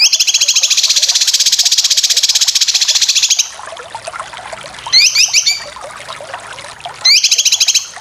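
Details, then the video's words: Cucak kinoy chatter for competition bird training: a long, fast, buzzy rattle of high notes, then shorter bursts of rising trills after a quiet gap. "Masteran full besetan cucak kinoy"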